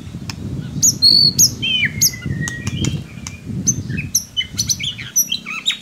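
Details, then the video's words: Murai batu (white-rumped shama) singing a lure song meant to stir a reluctant young bird: sharp high whistles and a long falling slur, broken by dry clicks, over rumbling low background noise. "Solusi murai ngiriwik kurang gacor cukup dengarkan suara pancingan ini pasti nyangut"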